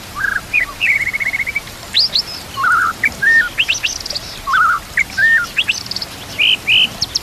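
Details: White-rumped shama singing to train other shamas, with nature sounds and trickling water: clear whistled phrases broken by pauses, with short buzzy trills, a level rattle, and scattered high upslurs.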